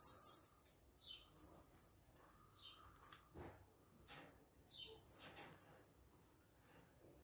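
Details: Variegated fairywren family of two adults and three fledged chicks, recorded by phone: loud high chips open, then scattered short descending squeaks and one extended high trill midway, separated by near silence.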